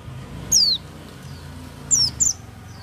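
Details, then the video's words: Oriental white-eye (pleci) singing: one thin, high, downslurred whistle followed after a pause by two quick falling chirps, over a steady low hum. "pleci buka paruh tanpa doping gacor dor"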